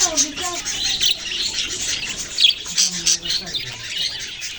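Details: Chatter of baby budgerigars, busy high twittering and short squawky chirps overlapping continuously, with a few low droning tones in the background.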